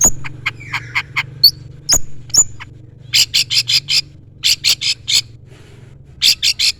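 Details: Long-tailed shrike with a full repertoire of mimicked notes, calling out a rival: thin chips and a high whistle first, then groups of loud, harsh rasping calls separated by short pauses.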